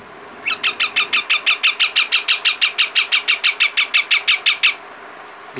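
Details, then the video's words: Indian ringneck parakeet chicks calling naturally: a fast, steady series of about twenty-five harsh, squawking notes, roughly three per second, lasting four seconds before stopping. "Indian ringneck chicks natural sound"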